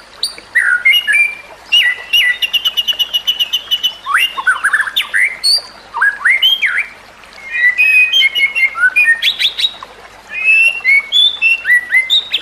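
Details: White-rumped shama (murai batu) song used as a training recording for other shamas: rich varied phrases of whistles, slurred notes and rapid ticking trills, loud and continuous with brief pauses.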